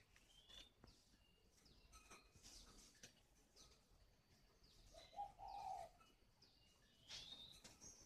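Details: Spotted dove from a bird garden in Ba Vì, Hanoi, Vietnam, giving a short, low, hollow coo phrase midway. Scattered thin high chirps and clicks from other birds, and faint background rustling.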